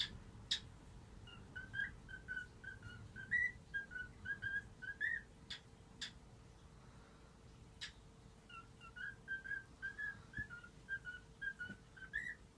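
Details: Household cockatiel acting as a morning alarm, whistling the tune "If You're Happy and You Know It": clear, short, repeated whistled notes in rhythmic phrases, a few rising at the end, broken by a quiet gap and scattered sharp clicks in a small room.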